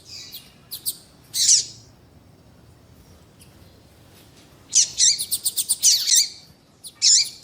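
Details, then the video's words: Double-collared seedeater of the tui tui style, female calls mixed with male song to stir a caged male: scattered sharp high chips, a buzzy burst, a pause, then a rapid chattering phrase of bright notes and a final harsh note. "Esquentar coleiro com Piado de fêmea de coleiro e coleiro tui tui cantando"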